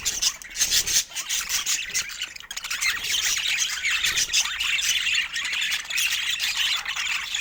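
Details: Pet budgerigars in joyful chatter, a crowded chorus of rapid high chirps, scratchy squawks and warbles running on without a break.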